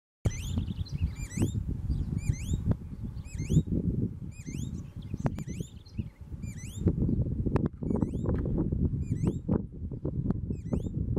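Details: Green-backed becard (Pachyramphus viridis) singing a steady series of sweet, high, upslurred whistles, several per second, over a constant low rumble of wind or handling noise.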